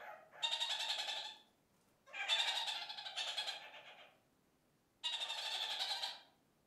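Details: Kakariki in a flock giving three separate bouts of raspy, stuttering chatter about a second or two long, with quiet gaps between; a communal cackle heard several times a day.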